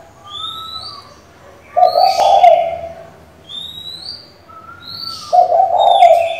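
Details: Female spotted dove calling the male, used to excite a decoy bird: two deep, gravelly coo phrases, each following a level whistle and high rising chirps from other birds nearby.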